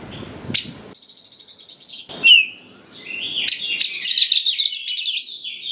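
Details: White-rumped shama (kacer) bait song for young wild birds: soft rapid trilled notes, a loud sweeping chirp, then a long string of fast harsh buzzy pulses mixed with whistles.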